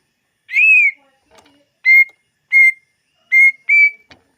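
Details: Greater green leafbird song for luring birds: a long arched whistle, a soft murmur, then four short steady whistled notes in quick succession, ending with a faint tick.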